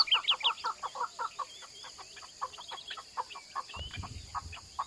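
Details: Mountain partridges giving a run of short, low clucking notes repeated roughly three per second, with a few high chirps from another bird at the start and a brief rumble near the end.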